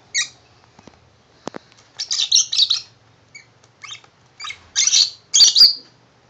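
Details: Tame male pet lovebird indoors, happily singing over a shoe box given as his new house; a string of high squeaky chirps and chattering bursts, growing busier toward the end, with a light tap.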